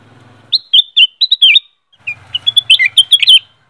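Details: Black-crested bulbul, known as kutilang emas, singing two bright bursts of slurred whistles and chirps, with a low mechanical hum audible beneath the start and the second phrase.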